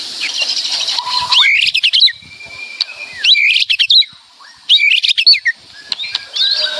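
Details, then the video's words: White-rumped shama, known locally as murai batu, in loud, lively full song: rapid bursts of sharp clicks and chattering notes, rising whistles and a long steady whistled tone between dense bursts. "Suara Kicauan Keras Murai Batu Meriah Full Isian"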